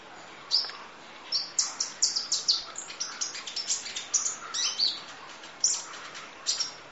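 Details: High-pitched sunbird song for bird training, full 'nembak' fill: dense run of sharp, squeaky chirps and brief trills, rapidly repeated notes with a few pauses.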